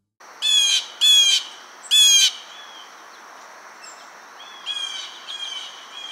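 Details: Blue jay (Cyanocitta cristata), a common backyard bird of the eastern United States, giving its loud, harsh "jay-jay" calls in bursts: three strong ones, then softer ones farther off.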